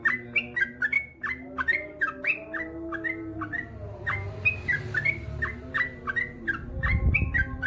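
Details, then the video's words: Male yellow-vented bulbul (trucukan), actively singing long ropel phrases: continuous chattering run of mellow, slurred whistles, notes tumbling rapidly one after another, with a low background hum. "SUARA trucukan gacor ropel panjang"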